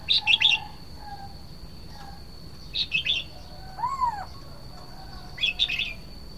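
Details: Red-whiskered bulbul, Thai nok krong hua jook, repeats short cheerful chattering phrases about every two and a half seconds; a lower, arched whistle sounds between them, and a steady thin high tone runs throughout.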